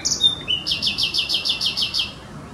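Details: Common nightingale singing on 4 June 2016 at Neeracherried wetland, canton Zürich, Switzerland: a high, sharp opening note and brief whistle, then a rapid run of about ten identical chirps, roughly seven a second.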